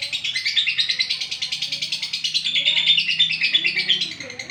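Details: Olive lovebird singing at length, a grating, fast-pulsed twitter with squeaky variations, steady rhythm around three beats a second, and a low hum underneath.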